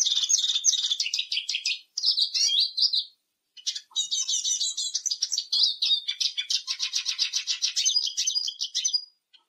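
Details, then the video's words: High, rapid twittering and buzzy trills from a singing Eurasian siskin, in several long phrases separated by short silences, ending with a dense rattling trill. "EURASIAN SISKIN SONGS Spinus Spinus Singing"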